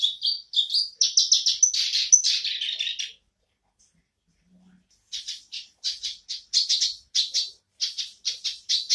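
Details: Black-browed reed warbler singing once more: a three-second torrent of harsh buzzy chatter, a two-second lull, then evenly spaced short scratchy notes repeated about twice a second.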